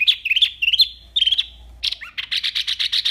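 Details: Wambi in full varied song: tumbling high chirps and twittering phrases, then a rapid evenly spaced series of harsh high notes.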